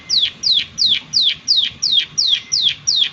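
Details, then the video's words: Prinia, locally called prenjak, giving a lively call of sharp descending notes sweeping down from high pitch, nine in about three seconds at a steady fast rhythm, over faint background hiss. "Prenjak Klik Klik Gacor Suara Alam Dan Isian"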